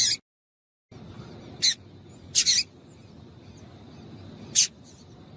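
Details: Female double-collared seedeater call used to excite males to sing, heard as brief piercing high chips, a close double chip midway, then a single one, against faint low rumble.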